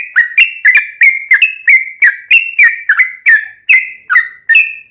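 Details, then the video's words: Yellow-vented bulbul in a ropelan tembus-tembus song style with ngelituk and cucak rowo-like fill-ins, used as a master and lure for caged birds: short slurred notes with sharp clicks, repeated about twice a second. "Trucuk Kicau istimewa Ropelan Tembus-tembus isian Ngelituk Cucak Rowo'an"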